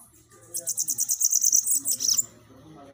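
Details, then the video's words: Bananaquit song used to stimulate captive birds: high, thin, rapidly repeated notes forming a sizzling trill, ending with a few squeaky downward slurs, with faint low hum beneath. "CANTO para FOGUEIA SIBITE, deixe seu SIBITE FOGOSO!"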